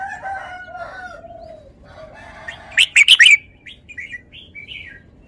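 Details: Caged red-whiskered bulbul: soft, low, wavering whistles slide downward, then a sudden loud burst of sharp, bright notes. The burst is followed by a few short, chirpy phrases fading out.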